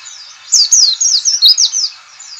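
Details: White-eye 'ngalas' call, known in Indonesia as a quick lure to get white-eyes singing: a fast, lively series of about eight high, piercing, downward-sweeping chirps over faint background twittering.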